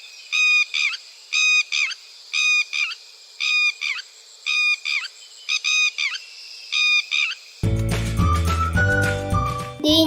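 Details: Red-wattled lapwing (Vanellus indicus) in Sri Lanka giving loud, shrill alarm notes, which signal human or animal movement, in quick two- and three-note bursts about once a second, like 'did-he-do-it'. Music takes over at the end.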